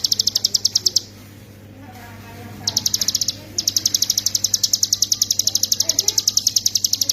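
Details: Hill prinia song used as master training material for songbirds, in the 'ngebren' style. Bursts of rapid, piercing high repeated notes come with brief pauses between them, over a faint murmur of voices in the background.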